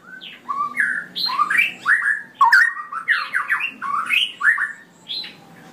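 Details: A cucak rowo, or straw-headed bulbul, pours out a continuous rich warble: rapid, gurgling whistled notes rising and falling in quick succession for several seconds, ropelan style.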